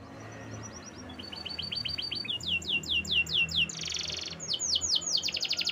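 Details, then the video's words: Canary song in a soft, noisy setting: series of repeated downward-slurred notes, a burst of buzzy rattling trill, then more slurred notes and another rattle. "Natural Sound of Forest Birds Chirping || Canaries"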